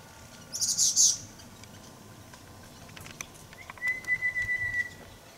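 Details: Grey-cheeked fulvetta busy moving through a bush on Dashue Mountain, Taichung, Taiwan, 17 December 2019: a quick burst of very high, thin chips, a few soft ticks, then one long, even, thin whistle. Otherwise quiet.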